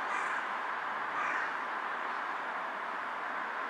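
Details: Carrion crow perched on a power line, bowing as it calls, recorded 18 July 2023 in the afternoon; two hoarse caws about a second apart rise over a loud, steady hiss that fills the background.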